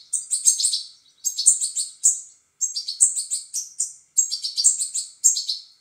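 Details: Goldfinch nestlings begging during feeding: urgent, high-pitched twittering chirps delivered in tight clusters of about a second, repeated again and again with short gaps between bursts.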